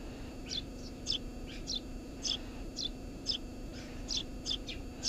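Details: Eurasian tree sparrow nesting beneath a house roof: repeated brief high chirps, nearly two per second and uneven in spacing, with a persistent low-frequency hum behind.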